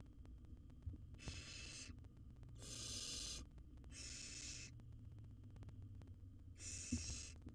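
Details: Wild barn owl nestling in a monitored nest box, filmed while swallowing a rat; long broadband hissing bursts, each about half a second to a second, repeated with pauses, over a steady low hum.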